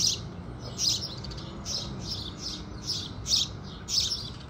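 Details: House sparrows singing as the sun rises: a lively, fairly even series of about nine high, chirpy notes, each a brief burst, over muted low background sound.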